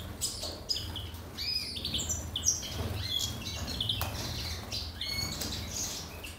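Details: European siskin in Gozo, Malta, kept by a breeder, eating worms; high thin twittering notes and short upslurred chirps scattered through, with wing flutters and a steady low hum beneath.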